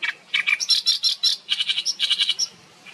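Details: Oriental reed warbler, beak wide open, singing lustily: a dense, loud chatter of harsh, croaking and squeaky notes, several per second, varying in pitch for over two seconds before fading.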